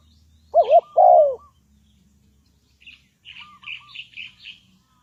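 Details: Lure spotted dove for trapping, uttering a single pair of low coos, a quick wavering double note then a longer sliding note, followed by a run of sharp high chirps from smaller birds.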